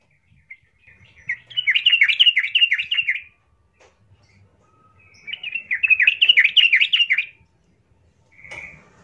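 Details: Lure song of a yellow-vented bulbul, meant to provoke another bulbul into a rage: two bubbly, warbling phrases of quick rising and falling notes, each about two seconds long, separated by a short pause, then a brief buzzy note.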